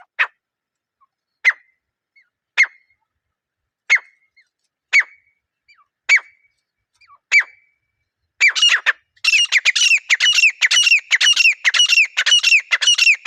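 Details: Wild grey francolin pair calling in a natural setting, a pair-bonding sound: sharp calls repeated about every 1.2 seconds, then a fast, dense run of loud, ringing, harmonic notes with no other sounds.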